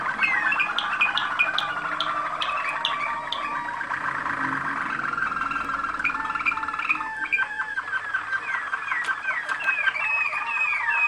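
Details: Waterslager canary from a Macedonian line of contest champions singing dense rolling trills with sharp high ticks, shifting midway into a run of rapid staccato notes and falling whistles.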